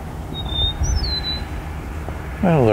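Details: Eastern Meadowlark singing in the evening close to sunset beside a road by a quarry in the Hamilton–Niagara region, with starlings nearby: a brief phrase of clear, slurred whistles, high and falling, over a low rumble, then a man speaks.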